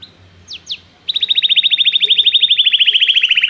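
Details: Song-training recording of a canary calling a companion to sing: two quick downslurred notes, then a long, even, rapidly repeated trill of short notes, slowly falling in pitch.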